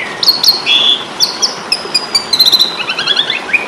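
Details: Asian pied starling, fighting-style song for training kept birds: long whistled notes and slurs followed by a quick, clicking, buzzy chatter and a closing upward whistle.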